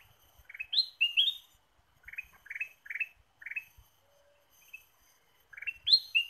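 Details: Ruby-throated bulbul lure recording: clusters of two to four bright, rising chirps, some climbing into higher squeaky notes, separated by short pauses, over a faint background with occasional low thumps.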